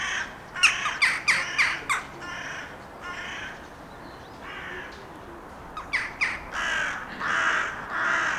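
Hooded Crow giving a quick run of harsh, rasping caws, then a second burst after a pause, with longer drawn-out calls at the end.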